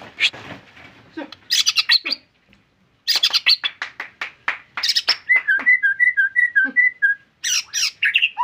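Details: A vigorous white-rumped shama delivers dense, energetic song: rapid bursts of sharp, scratchy notes, a brief pause, then a run of repeated clear whistles before more harsh, chattering phrases.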